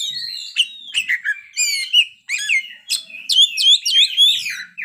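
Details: Caged kacer (magpie robin) singing a fast, varied medley of whistles, chirps and trills packed closely together, with rising and falling slurred notes and quick rattled phrases, delivered at a lively pace.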